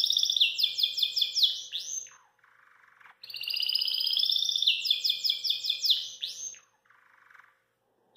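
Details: Belgian canary singing after eating kale, pouring out fast, bright rolling trills and chattering phrases in two long bursts, with a brief low buzzy note between them.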